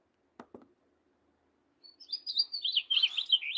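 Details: A wild house finch sings a fast, jumbled, very high-pitched warble of sweet tumbling notes that grows louder toward the end, preceded by two soft knocks.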